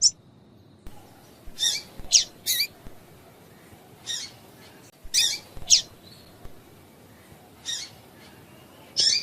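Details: Female double-collared seedeater calling, used to get a male singing: bursts of two or three harsh, buzzy high chirps repeating in clusters, plus a few thin whistles, over a low steady background.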